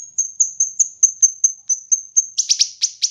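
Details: Kinoi bird singing on a recording for training and luring birds: an even run of high, thin, ticking whistles, then harsher, broader chip notes in a quick cluster at the end.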